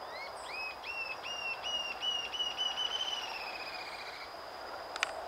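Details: A male Rufous-tailed jacamar in cerradão woodland at Bauru, São Paulo, Brazil, sings a series of high, thin upslurred whistles that speed up into a level, slightly rising trill, ending with a brief click.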